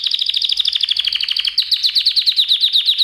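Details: Canary song for a singing lesson: a rapid pulsed trill repeating about ten notes per second, with a brief break midway before the even rolling trill continues.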